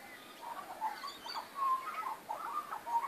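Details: In a backyard on 19 April 2014, magpies produce faint, bubbling warbles with a few clearer whistled slurs among soft, uneven notes.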